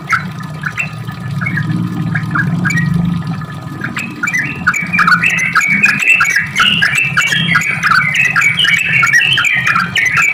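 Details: Sooty-headed bulbul song played to provoke other bulbuls into answering: bubbly, rapid chattering phrases of short warbled notes, dense and overlapping as if several birds sing, with a steady low hum underneath.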